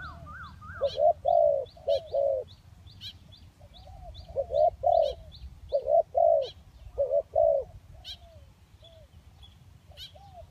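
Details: Spotted dove lure recording of kacuk and kampung doves: clusters of husky coos, paired short notes and a drawn-out third, repeated several times over about ten seconds, with faint high ticking chirps from other birds throughout.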